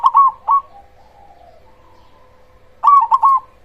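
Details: Loud-voiced cemani zebra dove singing a lure song that provokes other zebra doves into answering. Two short bursts of rapid, even coos are separated by a quiet pause with a soft murmur and a steady background hum.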